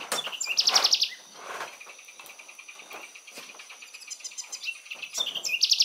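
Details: Courting pair of spectacled parrotlets recorded at Laguna de Sonso near Cali, Colombia, 9 July 2019: two short bursts of fast, shrill, buzzy chatter open and close the passage, with softer chips and rustling between.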